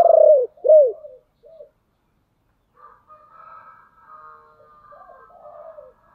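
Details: Decoy spotted dove calling to attract wild doves: two loud, deep arched coos open the phrase, a short soft note follows, then only faint, distant low cooing.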